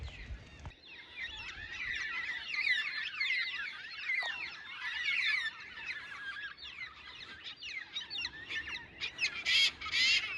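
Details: A flock of black cockatoos, mostly white-tailed, flying through a cold valley and perched in a treetop, gives a dense continuous chorus of overlapping wailing, squawking calls; a brief handling thump at the start.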